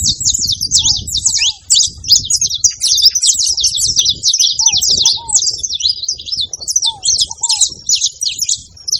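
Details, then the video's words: A group of saffron finches making noise together, pouring out nonstop high twittering and sharp chips, joined by occasional paired soft downslurred whistles lower in pitch, over a steady low rumbling background. "canário da terra junto fazendo barulho"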